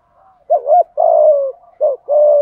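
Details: Spotted dove singing its full song in the 'giọng thổ' style with 'thúc gù' phrasing: low, mellow coos, each a short rising note run into a longer falling coo, phrases separated by brief pauses.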